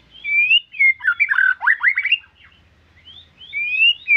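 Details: White-rumped shama singing richly in captivity, clear whistled notes leading into a fast cascade of rising whistled slurs, then further sweet whistles; faint low hum beneath.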